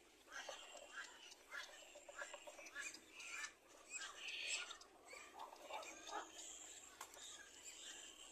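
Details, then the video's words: Little black cormorant chick being fed by its parent, giving rapid, harsh, squealing begging cries with a slightly tonal, nasal edge, repeated in clustered bursts throughout. "Little black cormorant feeds the baby well"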